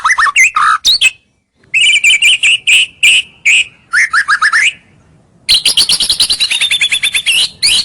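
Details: White-rumped shama singing as a lure for rivals: varied whistles, then a steady run of rapid repeated chirps, a pause, and a long fast high-pitched chattering trill.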